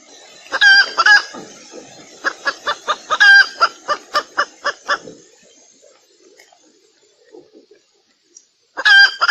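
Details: A Sumatran red junglefowl hen gives a lure call of rich, clucking notes: a quick pair, then a run of about eight evenly spaced clucks, a pause, and more clucks.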